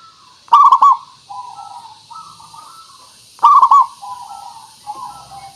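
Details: Local zebra dove, or perkutut, singing as a lure for other birds; two loud burred coo bursts about three seconds apart, then gentler stepped cooing notes.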